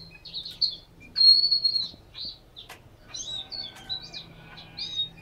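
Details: Caged Chinese hwamei in Hanoi singing loud, rich phrases of high whistles and quick slurred trills, changing with each burst, over a faint low hum.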